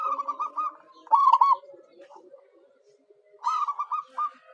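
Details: Zebra dove, a local perkutut used as a lure for wild birds, gives short loud rolled coo bursts about two seconds apart, with soft low murmuring notes in between.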